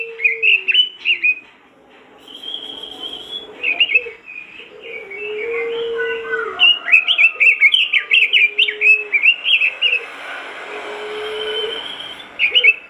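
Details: Robin in full song, played to get other robins singing: long varied stream of whistled, chattering and warbling phrases, with fast trills in the middle and lower whistled notes between, near continuous for the whole stretch.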